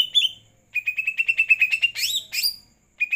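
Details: Greater green leafbird after its night bath: a downslurred whistle, then a rapid steady string of clipped notes that breaks into two loud rising whistles before a brief silence and a final chip.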